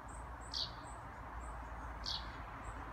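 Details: A Eurasian tree sparrow gives contact or alarm calls, two short, sharp chirps about a second and a half apart with faint high ticks between them over a steady hum, in a small woodland patch in Sundsvall, Sweden, on 21 June 2018.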